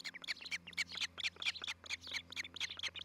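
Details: Nest-cam osprey in Charlo, Montana, on a July 2018 morning: fast, insistent series of squeaky high whistled chirps, closely packed and slightly uneven, with a low background hum.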